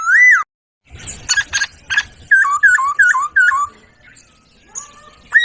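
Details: Laughingthrush, locally poksay, master song for training songbirds: a rising whistle, then percussive bursts and a run of five repeated falling whistled notes, with faint later phrases.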